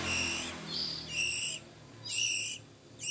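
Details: Oriental magpie-robin chicks a few weeks old, hand-fed by their keeper, give short harsh high-pitched begging bursts, each about half a second long, roughly one per second, in a quiet room.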